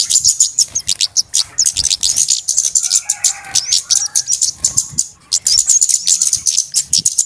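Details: Crowded flowerpecker chatter from a trapping lure recording: an almost continuous wash of very high ticks and twitters, with lower warbling notes mixed in the middle and a brief gap before the chatter resumes.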